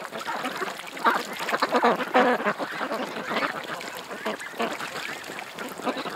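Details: Many ducks at a creek quacking together in a dense, overlapping chorus. Harsh, nasal quacks run on without pause and are loudest around the second and third seconds, over a steady hiss.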